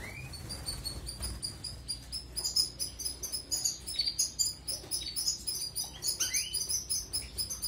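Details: European goldfinch song meant for canary training: continuous, rapid high-pitched twittering and tinkling notes with a few upward-sliding whistles, rhythmic bursts becoming louder in the second half.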